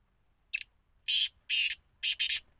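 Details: Black francolin giving loud, harsh, grating notes: one short note, then two longer rasping bursts and a final doubled burst, with near silence between them.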